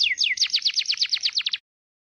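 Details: White-rumped shama song, clear recording: a quick series of about a dozen sharply descending whistled sweeps, delivered over roughly a second and a half, then silence.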